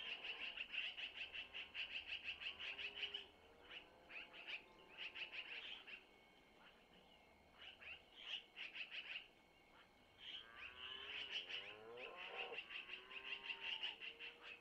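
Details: Long-eared owl chicks at a nest beg with rapid bursts of thin, scratchy, high squeaks, about three a second, mixed with softer lower squealing notes, as the mother takes food from the male to feed them.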